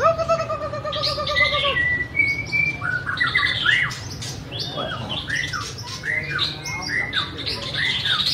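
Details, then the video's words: A white-rumped shama sings and dances, opening with long, pure, slightly warbling whistled notes, then breaking into a lively jumble of slurred chirps and sharp high notes. "Bird White-rumped shama - Beautiful Birds,Dancing And Singing Chirping Sounds Great"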